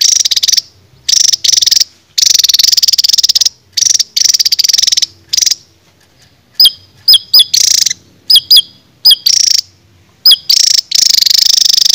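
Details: Songbird song for training cage birds: long, shrill rapid trills broken by short gaps, later mixed with sharp whistled notes that sweep up and hook over, repeated quickly in a busy, energetic sequence.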